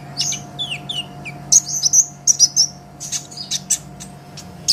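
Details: Master song of a sunbird for tutoring songbirds: a quick series of thin high chirps, some falling slurs early on, then louder piercing notes in tight clusters, with a low constant hum underneath.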